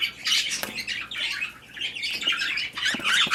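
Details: Budgerigars during mating and breeding: dense, harsh chattering squawks, bursts of scratchy notes with short dips in between, several birds overlapping throughout.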